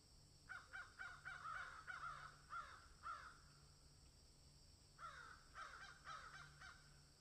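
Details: Crows in a field give harsh, hoarse caws, a run of about eight in quick succession, then a pause and five more, over a faint low hum.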